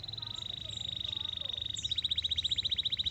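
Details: Canary delivering a rapid, even trill at a high pitch, which shifts into a slightly slower, more distinct pulsed trill partway through, with a low background hum.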